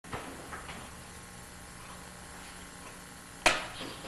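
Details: A quiet indoor room with a few knocks and a sharp clatter; no clear animal voice comes through.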